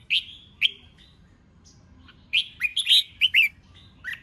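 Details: Red-whiskered bulbul male singing to stimulate newly caught birds into contest song, ché chét style; two isolated sharp notes, a pause, then a rapid tumbling run of bright, warbled chirps.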